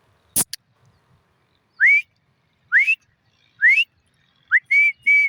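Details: Black francolin calling: after two sharp clicks, a series of four scratchy, upward-sweeping whistled notes spaced about a second apart, ending with two longer, level, buzzy notes in quick succession.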